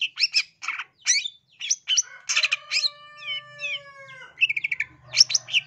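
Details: East Java style long-tailed shrike lure song for provoking aggressive singing: choppy chattering notes, then long level whistled tones with a few sliding notes, followed by a fast rattling run.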